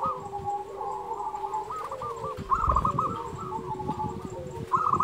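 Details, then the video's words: Local zebra dove song for training quiet doves: rolling coo phrases, a brighter burst near the middle and another at the end, over heavy low rumbling noise. "Perkutut lokal gacor Suara ini sangat di sukai semua jenis perkutut"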